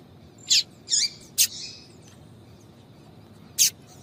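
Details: Calls of a female papa-capim (yellow-bellied seedeater) meant to excite males. A rapid run of four sharp, high chirps in the first second and a half, then silence, then one last bright note.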